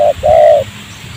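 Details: A spotted dove's short clipped note followed by one drawn-out, rough coo, recorded while trapping with a decoy bird in a rubber plantation near houses.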